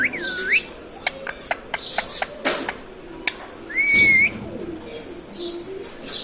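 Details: Ring-necked parrot kept as a talking pet indoors, opening with a dipping whistle, then a series of sharp clicks, a sustained rising whistled note and scattered raspy bursts.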